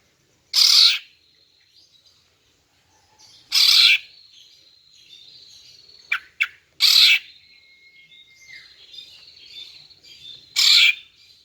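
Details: Calls of a female greater green leafbird to attract males. Loud harsh rasps come roughly every three seconds, with faint buzzy chatter, a few sharp clicks and a thin level whistle in between.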